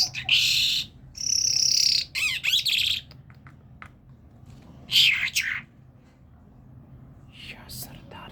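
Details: Talking common myna of Kerman mixes a long buzzy rasp, rapid wavering trills and scattered clicks, followed by a short whistled burst and quieter chatter.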